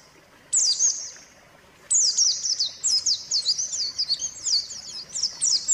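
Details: White-eye song used as a lure to make a silent caged white-eye sing again: a high, fast, scratchy twitter that starts after a pause, then runs as a long stream of rapid zigzag chirps.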